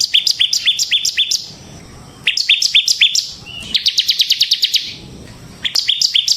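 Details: Bar-winged prinia song meant as a lure and tutor for other prinias: bursts of rapid high chips repeated several times a second, separated by short pauses, including one fast trill-like series.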